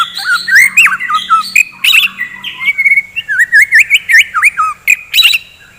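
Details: Morning song of a white-rumped shama meant to provoke fighting birds into singing: loud swooping whistles mixed with harsh chatter and clicks, then a string of wavering, looping notes.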